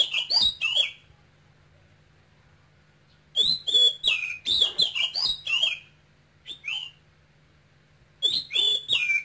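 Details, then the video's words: Oriental magpie-robin, caged male brought young from Cambodia and singing in the Quang Ngai style; three phrases of high, clear whistles with downslurred notes, with pauses of a couple of seconds between them over a low steady hum. "CHÒE THAN campuchia TRỐNG kêu sung Hót hay một mùa lồng"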